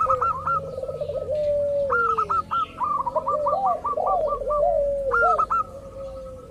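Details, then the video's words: Local zebra dove lure to make other doves call: soft trilled coos and falling glides low in pitch, woven with busy series of bright, repeated higher chirps in short bursts. "pancingan burung perkutut lokal ampuh , perkutut lokal jago memancing lawan bunyi"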